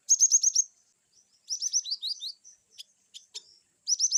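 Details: Cinereous tit (glatik batu) in energetic varied 'wucit' song: rapid strings of six or more ringing downslurred notes, a slower falling series, scattered clicks, then another rapid string.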